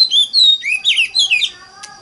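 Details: Oriental magpie-robin lure song meant to stimulate other magpie-robins to sing. A brief burst of clear whistles slides down and then loops up and down, and the clip ends in fading softer notes.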